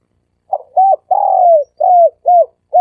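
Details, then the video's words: Dove call of the style locally called 'sam kuk' (three-coo), used as a lure for decoy trapping: a quick series of six hoarse, mid-pitched coos over three seconds, the third drawn out and falling, others short and arched. "เสียงนกเขาสามกุก เสียงนกเขา เสียงนกเขาใช้สำหรับต่อ เสียงนกเขาต่อหมานเข้าเร็ว"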